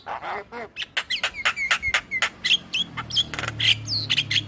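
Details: Male black-winged starling song for luring starlings, a steady series of clicking, slurred notes with short squawks and whistles, plus a low hum in the background.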